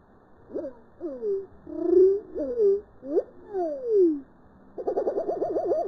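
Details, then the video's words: A crested lark's song, slowed down: slurred whistled notes swooping up and down, about two per second, ending in a fast, wavering trill. "Bird Sounds - Crested lark (Galerida cristata)"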